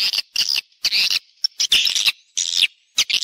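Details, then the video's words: Swiftlet calling and roosting sounds in stereo: bursts of dense, buzzy, high twittering lasting about half a second, separated by short silences. "suara wallet-suara walet panggil + inap stereo-Suara Walet Original Bersih Plus Jernih"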